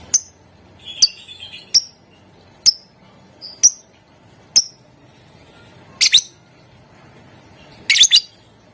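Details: Lovebird sound used as a prompt to get other lovebirds singing: clipped high chirps repeated roughly every second, ending in doubled harsher squeaky bursts.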